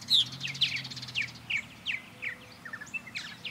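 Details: Purple martins flying near a backyard birdhouse give a loud opening chirp, then rapid twittering and scattered sharp notes, with a brief low hum early on.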